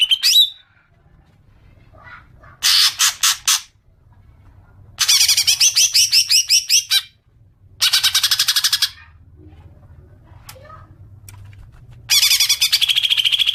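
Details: Green magpie lure sound meant to trigger long chattering: repeated bursts of rapid, rattling, harsh notes, each lasting one to two seconds, separated by short silences, with a few faint clicks in between.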